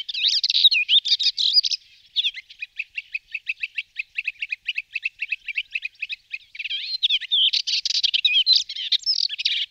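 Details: Melodious warbler's long, fast babbling song: scratchy twittering opening, a middle run of quick evenly repeated chattering notes, then renewed dense jumbled warbling lasting nearly ten seconds; no other sounds.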